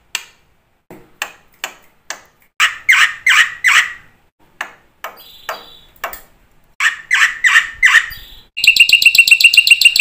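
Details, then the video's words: Black-winged myna song, played to coax other mynas into singing: scattered sharp clicks and squawks, then loud rasping notes in bursts, ending in a rapid, buzzy, rhythmic chatter. "suara burung jalak putih GACOR FULL ISIAN ampuh buat MASTERAN PANCINGAN jalak macet bunyi AGAR GACOR"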